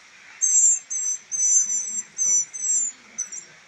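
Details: Three rescued baby northern mockingbirds being raised and rehabilitated for release; high, thin, slightly buzzy squeals in about seven drawn-out notes of varying length, separated by short pauses, over a faint steady background hum.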